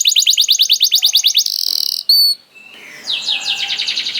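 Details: Canary singing as bait for other canaries: rapid steady trill of repeated notes, a buzzy burst and short whistle, then a softer trill over faint background noise.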